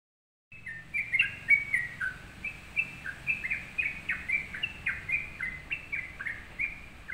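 Sooty-headed bulbul singing a lively run of short, bubbly whistled notes, some rising and some falling.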